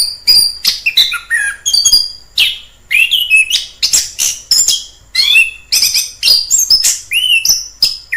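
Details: Orange-headed thrush in the wild delivering a fast, varied song of repeated short phrases, each a burst of high whistles, chips and rasping notes, with brief pauses between phrases.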